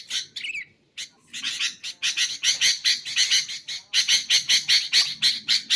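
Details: Sooty-headed bulbul used to train caged songbirds and lure bulbuls: one falling whistle, then a fast, steady series of harsh raspy chattering notes.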